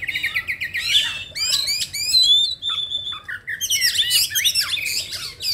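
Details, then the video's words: Oriental magpie-robin lure recording to make other magpie-robins sing; energetic varied phrases of clipped repeated chirps, a long level whistle and harsh rising sweeps, with brief pauses and low background hum. "PANCINGAN KACER JAWARA !!! SEKALI PANCING LANGSUNG COOR 00% JITU"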